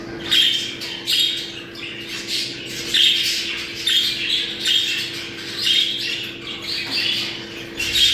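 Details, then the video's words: Budgerigar breeding-stimulation sound: repeated squawky warbling phrases rising and falling roughly every second, bright high chirps over a constant low hum indoors. "Muhabbet kuşu kızıştırma sesi. Muhabbet kuşu çiftleşme sesi"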